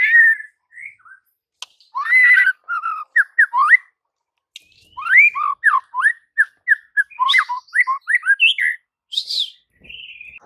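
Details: White-rumped shama song used as a tutor recording for silent birds; varied fluty whistles and quick rising notes in dense bursts, with pauses between phrases and no background noise.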